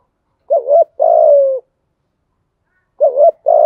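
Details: A spotted dove kept as a decoy coos to attract wild birds: a quick double coo, a long slightly falling coo, then the start of the next phrase after a short pause.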